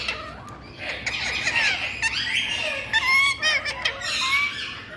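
A rose-ringed parakeet chatters in a harsh, raspy stream of squawks and word-like phrases, with brief rising whistled notes breaking through.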